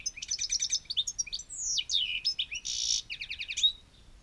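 European goldfinch in fast, tinkling song: liquid twittered trills, buzzy notes and sliding whistles run together over about four seconds, with nothing else heard.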